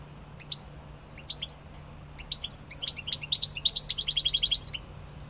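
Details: European goldfinch song starting with scattered high chirps and swelling into a fast, rhythmic twittering trill before stopping abruptly. A low hum runs underneath.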